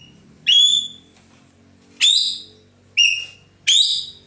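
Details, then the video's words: Ekek keling, a roller kept by Indonesian songbird hobbyists as a tutor bird for other birds and noted for loud, melodious singing, gives four loud, clear whistled notes that slide downward, repeated about once a second, over faint low indoor hum. "burung ekek Keling gacor nembak"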